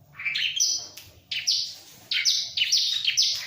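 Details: Bar-winged prinia, not bothered by a myna, sings short bursts of piercing high notes and falling whistles in quick succession.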